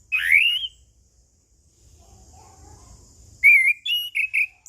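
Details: Orange-headed thrush in ngeplong song: a loud rising whistled phrase, a pause, then a series of bright, slurred whistles.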